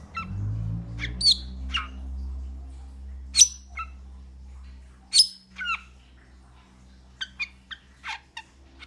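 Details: Metallic starling giving sharp, scattered chirps and short buzzy notes that sweep steeply downward, spaced irregularly about two a second, with a low steady hum underneath.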